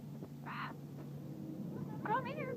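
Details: A male pet talking Amazon parrot gives a brief, rough, voice-like burst, then a wavering, warbled phrase like mimicked speech. A person's voice and a steady low hum are in the background.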